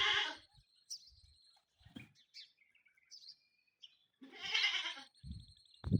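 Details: Fighting peacocks: a loud nasal peafowl call opens and another follows near the end, with thin high whistles and chirps and dull thuds of scuffling in between.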